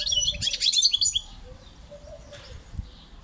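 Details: European goldfinch singing a brief, dense burst of scratchy twittering and high chirps for just over a second, then near silence with faint low thumps and hum.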